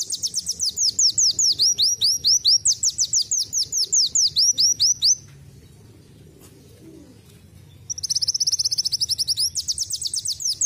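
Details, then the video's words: A sunbird (kolibri wulung) that has picked up canary song sings fast, high, canary-like trills of sharp down-slurred notes in long runs, pauses about three seconds, then resumes with a buzzier rapid trill. "KOLIBRI WULUNG RASA KENARI"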